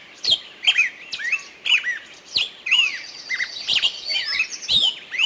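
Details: Forest birds in energetic song: loud sharp chirps and curling whistled phrases follow each other closely, several voices overlapping, with a short buzzy trill midway.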